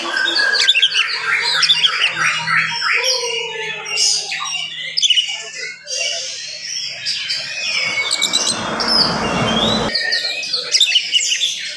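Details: Oriental magpie-robin in fast, dense morning song used to raise other magpie-robins' agitation; squawky notes, trills and whistles, interrupted midway by a brief burst of broad noise.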